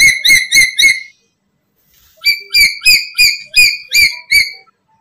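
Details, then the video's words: A black-capped lory gives four quick ringing calls, falls silent for about a second, then resumes with a faster series of eight sharp notes; the calls are used to lure and trap other lories. "Pancingan Burung Nuri kepala Hitam"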